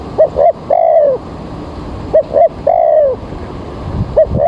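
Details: Early morning spotted dove used as a trapping lure, rain about to fall: two short coos followed by a long falling coo, phrase repeated twice, faint low thumps near the end.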